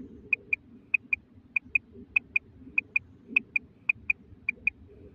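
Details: Calls of a female common quail: bright, short two-note clicks, paired closely and repeated about every half second, nine pairs in all. A muffled low droning noise sits in the background throughout.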